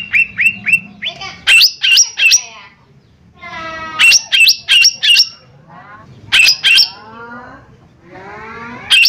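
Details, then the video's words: Lesser green leafbird in full gacor song, meant as a lure. Loud rhythmic whistled phrases alternate with softer descending warbled trills, the bright notes coming in bursts of three or four. "Cucak Ijo Mini Gacor 💯 Pancingan Paling Cepat Bunyi/Respon"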